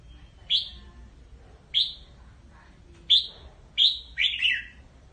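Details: Red-whiskered bulbul calling the flock: five short, bright notes, each a quick upward-slurred chirp, spaced irregularly about a second apart. The last one is doubled into a slightly longer, trilled phrase. Faint low background rumble.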